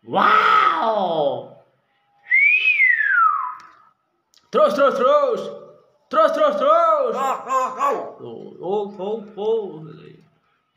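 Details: A talking common hill myna: speech-like phrases with stacked harmonics, opening with a whistled note that rises then slides down, followed by several choppy word-like bursts, in a small room.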